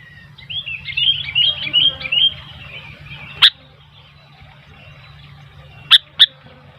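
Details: Sooty-headed bulbul singing as wild bulbuls gather; a soft warbled run of rising and falling notes at the start, then three isolated sharp loud notes spaced across the rest, with faint low hum beneath.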